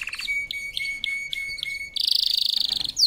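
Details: Canary singing a powerful training song: a quick run of notes, then clear whistled notes repeated about every quarter second, ending in a fast, loud buzzy trill.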